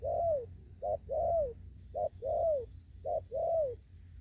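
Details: 'Thúc gù' cooing from a spotted dove still in an upland field: three even pairs of soft hoots, each a short note leading into a longer, downward-bending coo, over a low background hum.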